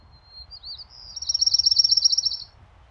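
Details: Orange-crowned Warbler, a spring migrant among the first arrivals in deciduous and mixed forest, giving its simple, cheerful song: a thin, high trill that quickens and grows louder, then stops abruptly, lasting about two seconds.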